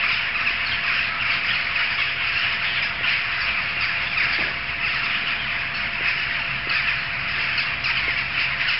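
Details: Dense jackdaw chorus, a constant churning of harsh overlapping calls from a big gathering, with a low steady hum and a few faint clicks in the background.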